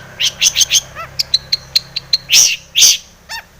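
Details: Long-tailed shrike in full varied song, used as a lure to make other shrikes sing: quick chirps and whistled notes, a few rising harmonic calls, and two longer harsh rasping bursts near the end.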